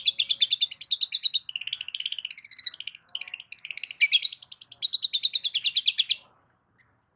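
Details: Long-tailed shrike in full loud song used to provoke other shrikes: a long, continuous rapid chatter of scratchy mimicked notes and rattles, ending with a single thin whistle.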